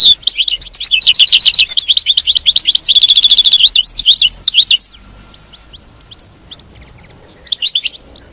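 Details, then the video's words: Captive European goldfinch singing a fast run of bright, tinkling twitters for about five seconds, with a buzzy trilled stretch in the middle, then near silence broken by a few faint chirps. "تغريد الحسون، بتبته الحسون، لجعل حاسونك لا يتوقف عن التغريد"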